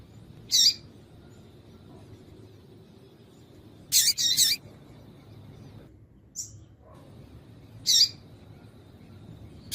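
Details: Female double-collared seedeater call, used to stir a male into singing: short, very high chirps scattered through the clip, singly and once as a quick double, separated by gaps of several seconds, over a low steady hum.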